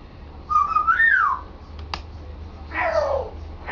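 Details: Captive African grey parrot at home practising its vocal repertoire: two clear whistled notes, the first rising then falling, the second sliding down steeply, with a brief click between them over a steady room hum.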